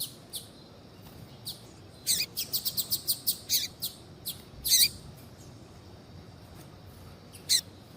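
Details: Female double-collared seedeater kept in captivity, calling to spur a male into song. A fast series of about eight sharp high chirps after two seconds, then a louder burst near five seconds and a lone note near the end.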